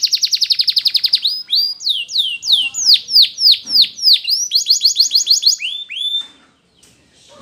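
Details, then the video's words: Belgian canary song: a very fast even trill, then a series of loud down-slurred swoops and rolling phrases, fading into quiet at the end. "The Belgie Canary's Seduction for the Canaries to Stop Sounding"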